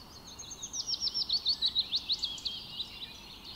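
Rufous Hummingbird giving a quick run of about a dozen thin, very high chipping notes, slightly squeaky and twittering, over faint background hiss.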